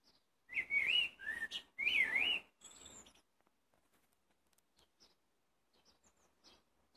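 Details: Blackbird singing: two rich, warbled fluted phrases that wobble up and down, followed by a thin, high squeaky note and then faint scattered ticks in near silence.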